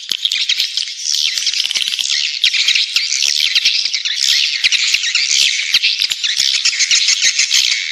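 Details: Swiftlet lure call played to attract birds to nest: a dense, continuous mass of high twittering chirps and clicks, overlapping without pause for the whole stretch.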